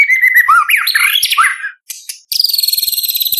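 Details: White-rumped shama in full contest song, rich in imitated phrases and 'tembakan' shots, used to tutor young spotted shamas; swooping slurred whistles sliding up and down, then a fast, even, rattling buzzy series.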